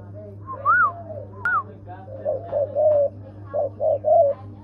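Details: Spotted dove giving a run of short, low hollow coos in quick succession, with a few brief higher whistled notes early on and a steady low hum underneath.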